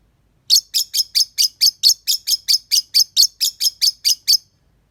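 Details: Lovebird sound for the morning, used as a lure to prompt singing: a fast, even run of about sixteen sharp, high chirps, roughly four per second, over quiet background.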